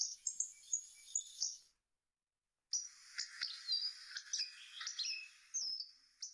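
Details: Hawfinch giving thin, high, sharp ticks and short squeaky notes, quiet and irregular, with a second-long pause midway before a denser run of high chips and slurred whistles.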